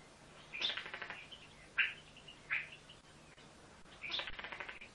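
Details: Pet female common starling in New Zealand, a talking bird known to say 'Who's a gorgeous girl', gives rapid chattering phrases of clicks and harsh buzzy notes in three bursts, with two sharp single clicks between them, in a quiet room.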